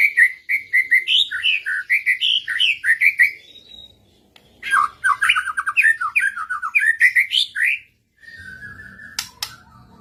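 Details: White-rumped shama singing in answer to another bird: rapid varied whistled and chattering phrases in two long bursts, notes rising and falling, followed by a brief pause and faint noise.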